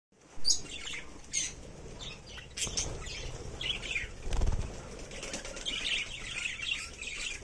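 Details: Budgerigars (Melopsittacus undulatus) in a farm colony chatter together in short, scratchy chirps and warbles from many birds, with frequent wing-flapping thumps and rustling throughout.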